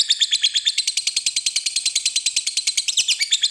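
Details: Lovebird, described as a fighter bird, giving a long ngekek trill: rapid, evenly repeated high shrill chattering notes, about eight per second, running unbroken for the whole stretch.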